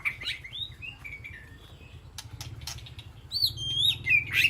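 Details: White-rumped shama in an aviary calling to the flock: soft whistled phrases at first, then a louder bright whistle and quick rising notes near the end.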